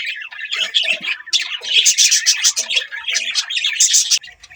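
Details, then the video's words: Budgie chatter, a near-unbroken stream of buzzy, scratchy chirps and squeaky warbled notes, loud and dense, ending abruptly after about four seconds. "Budgies chirping sound"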